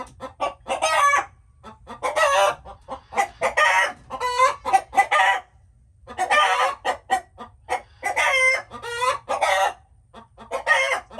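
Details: Hens clucking in irregular runs, sharp short notes building into longer raspy cackles, with several brief silences between bursts.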